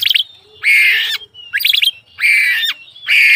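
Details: Oriental magpie-robin heard morning to night: harsh, raspy, hissing bursts alternating with quick stuttering triple notes, repeated roughly every second.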